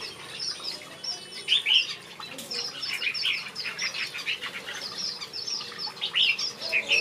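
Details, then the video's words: Finches singing in a backyard aviary: a dense, busy stream of high chirps and short tweets from several birds overlapping, with brief louder bursts and a faint wing flutter. "Watch these finches sing a beautiful melody in my backyard"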